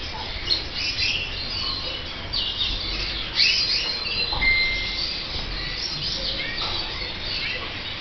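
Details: Red mosaic canary chicks from the 2014/2015 season give thin, high chirps and short squeaks, scattered irregularly, over a steady low background hum.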